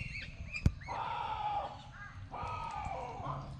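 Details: Wild duck in a zoo giving two drawn-out, harsh, nasal calls, each under a second long, with a sharp click near the start, other small birds chirping faintly, and a low crowd murmur throughout.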